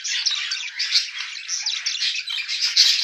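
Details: A mated pair of budgerigars chattering nonstop: a dense, high, scratchy warble of quick chirps and squeaks with no pauses, rising to a brighter squeak near the end.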